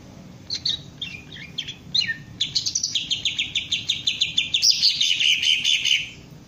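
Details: Green leafbird in training to raise its crest and sing in ngentrok style: bright, high chattering phrases, then a fast run of rhythmic repeated chips rising in intensity.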